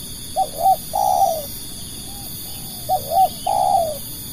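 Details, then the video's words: Decoy spotted dove calling to lure wild doves: two matching phrases, each a pair of short rising-falling notes followed by a long rough coo, with soft faint coos in the pause and a steady high electronic-like whine. "burung tekukur pikat"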